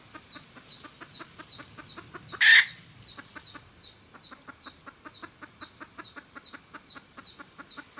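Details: Trapping lure of a cackling red junglefowl hen: brisk rhythmic clucking, several per second, with one loud harsh squawk early on and a steady series of high, falling whistled notes behind.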